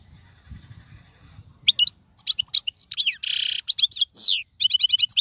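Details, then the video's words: Wild-caught European goldfinch, 2022 season: after a quiet low murmur, bright twittering erupts, broken by a harsh buzzy rasp, then rapid tinkling chirps to the end. "اقوى مقنين خلوي - هذا الحسون الاقوى في 2022"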